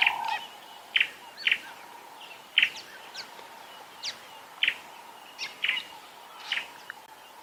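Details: Wild fork-tailed drongos calling along a drainage line on a sunrise safari morning, 16 January 2022, among many birds and insects: short sharp bright notes at irregular intervals, about nine in seven seconds, over a steady insect-like hum.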